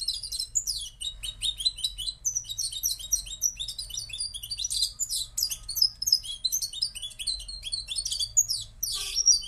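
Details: Long, continuous, energetic warbling from a Moroccan goldfinch, with dense high twitters, buzzy notes and sharp chips tumbling together for nearly ten seconds over a faint low hum.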